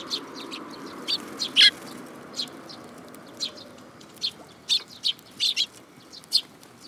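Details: Sparrows coming to take food from a hand at a Tenmangu shrine on 7 July 2022; a busy run of short, sharp chirps, some in quick pairs, scattered unevenly over a low steady background hum.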